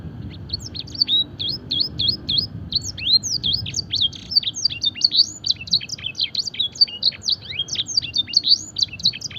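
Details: Fancy canary in song training, singing a luxurious filled song copying blackthroat and edel sanger birds; rapid continuous high chirps and sharp downward-sweeping whistled notes tumbling together for the whole stretch, over a low steady hum.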